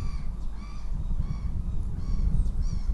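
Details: Northern goshawk at the nest in Riga on 9 April 2017, giving a series of harsh, nasal, harmonic-rich calls about every half second, each call short and slightly falling, over a steady low electrical hum and rustling.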